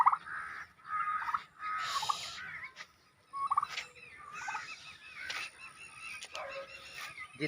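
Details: Turkeys calling: loud, hoarse, wavering calls in uneven bursts with short silent breaks and overlapping voices, against some background noise.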